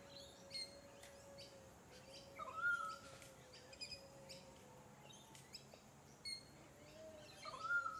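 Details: Pied currawong on the Sunshine Coast, Queensland, October 2024; two short whistled notes about five seconds apart, each a brief upward slur, amid chirping of other birds and a steady low hum.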